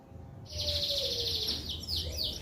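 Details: Canary, prized as an active singer for tutoring young birds and stimulating female breeding, producing a dense buzzy high trill broken into a few rhythmic pulses, with a faint low background rumble.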